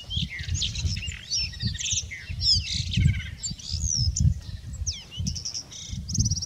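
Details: Male blue rock thrush singing, recorded 24 March 2019: varied whistled and warbled phrases, some slurred and rising, others short chirps, delivered in quick succession over a steady low rumble of background noise.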